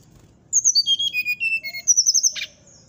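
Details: Brown-chested jungle flycatcher in fluting 'nyuling' song, said to anger neighbouring birds. A falling series of whistled notes leads into a rapid high warbling trill, broken by a short harsh burst.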